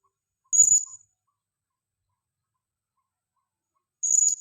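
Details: Single high, thin squeaky call from a female blue-crowned hanging parrot used as a lure, followed by about three seconds of quiet and a second similar shrill note.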